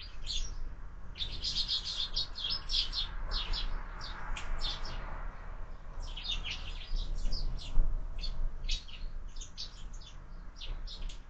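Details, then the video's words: Sparrows at a window-mounted feeder, fed year-round, give a busy run of short high chirps and tweets, many overlapping, over steady low mechanical hum. "Воробьи в кормушке"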